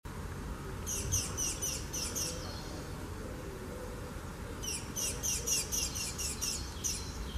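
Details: Spanish sparrow singing at Gáldar, Gran Canaria, in March 2017: two bursts of rapid, high chirps repeated several times a second, separated by a pause of about two seconds, over a low steady background rumble.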